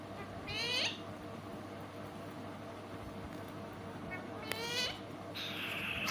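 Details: Sweet-voiced talking parrot kept as a pet utters three separate phrases, each a rich stack of bending harmonics, with shorter soft sounds between them and a low steady hum throughout.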